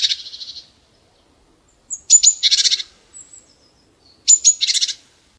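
A chickadee gives high, sharp opening notes followed by a run of husky, buzzy 'dee' notes, repeated about every two seconds; nothing else is heard.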